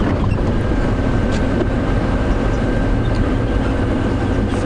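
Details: Loud, steady low engine rumble of a vehicle on a sunrise safari drive, with a faint constant hum and no animal voices.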